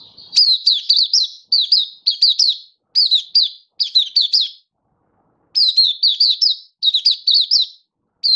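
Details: Oriental white-eye singing in a happy open display on 24 February 2023, a hobby bird: repeated bursts of three to five high, bouncing, slurred chirps with upward flicks, separated by short silences and one longer pause.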